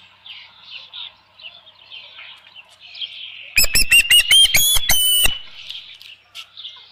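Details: With a headless fish at its Dunrovin Ranch nest on 27 June 2018 near 12:48 PM, an osprey calls softly in thin, high whistles, then breaks into a loud two-second run of sharp chirps before easing back.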